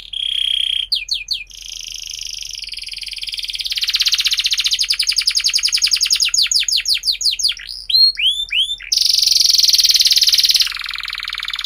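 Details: Long canary song used to teach young canaries to sing: sweeping rolling trills, fast buzzy passages, and quick repeated chirps in a continuous high-pitched stream.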